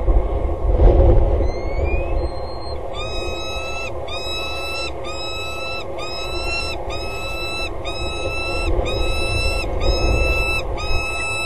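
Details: Female peregrine falcon calling from a gutter edge on the Axel water tower at 07:54 on 25 February 2013, before mating. After a noisy start, harmonic wailing notes with an upward flick repeat roughly every 0.7 seconds, about ten in a row.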